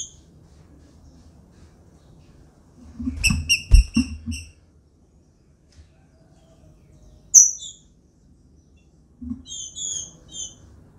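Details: Caged female green-winged saltator soliciting mating. A rapid cluster of high, ringing notes comes mid-clip, then a lone sharp chip, then a pair of thin, high, buzzy double notes, with low knocks and rustling in between.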